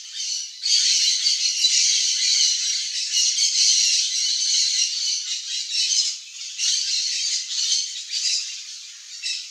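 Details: A blue-and-yellow macaw eating a ripe mango in the Brazilian Cerrado gives harsh, raspy squawks in a nearly continuous rasping stream, with a few brief breaks over about nine seconds.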